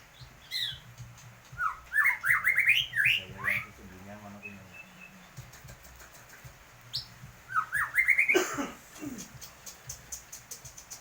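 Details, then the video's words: White-rumped shama in full song with a strange sound: bursts of bright rising whistles and raspy buzzing notes separated by quieter pauses, with sharp clicking ticks scattered throughout. "MURAI BATU GACOr,suara ANEH"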